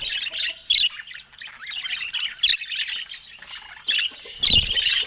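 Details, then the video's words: Budgerigar warbling with a continuous high, scratchy twitter of squeaks and chirps. Louder bursts come at intervals, the strongest near the end. "Top Cute Budgie Love Vibes with Funny Sweet Sounds"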